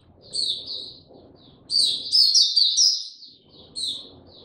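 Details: Oriental white-eye kept in a cage, singing at an easy pace: short bursts of sharp, high twittering notes, a denser warbled run in the middle, over a faint low rumbling background.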